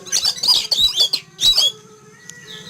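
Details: Morning, a caged Oriental magpie-robin in a yard is frightened by an eagle flying past and gives loud harsh scolding bursts mixed with high whistles for about two seconds, then falls quiet.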